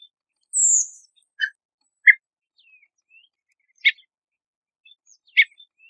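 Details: {'caption': 'Redwing giving a high, thin descending seep, followed by a low chip, a quick harsh note and two more sharp clicks at irregular intervals, with scattered faint tiny twitters and near silence otherwise.'}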